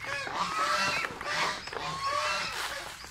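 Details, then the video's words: Pet geese eating mango, with duck noises also present; repeated nasal honks and squawky calls in overlapping bursts, some rising and falling, with rustling between. "Duck noise and Pet Goose Paul & Ringo and Pigo eating Mango"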